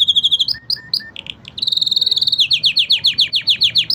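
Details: Five canaries sing a training song: high steady whistled notes, then short chirps, a fast even trill and a run of rapid descending slurred notes repeated about four times a second.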